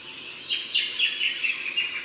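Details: Darling Downs, Queensland, above 500 m: an Eastern rosella gives short, high, slightly rising notes spaced about a quarter second apart, six or seven in a row, with insect hiss behind.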